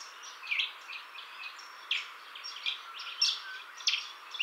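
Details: Juvenile Grey Butcherbird in a garden it has taken as territory, drinking at a fountain and answering other territorial calls, gives short, bright mid-to-high notes at irregular half-second intervals over a steady high hiss.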